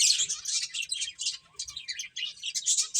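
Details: A brief, busy snippet of finches chirping while playing: tight, rapid high tweets pulse in quick succession with only tiny pauses between them.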